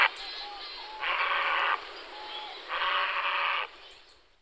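Grey heron giving two harsh, grating croaks, each just under a second long and about two seconds apart, with faint whistled notes from other birds behind.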